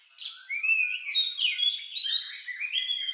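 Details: Oriental magpie-robin singing an unusual song, said to resemble a lovebird and used to provoke other birds to sing: high rising and falling whistled phrases mixed with sharp chirps, continuous for about three seconds.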